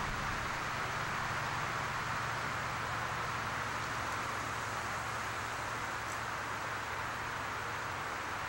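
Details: Steady outdoor traffic rumble and broad hiss continue throughout, with no animal voices and only two faint brief clicks.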